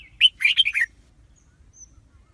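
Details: Red-whiskered bulbul singing: a soft high note, then one quick burst of four or five bright, warbling whistled notes that dip and rise, followed by near silence with a faint low rumble.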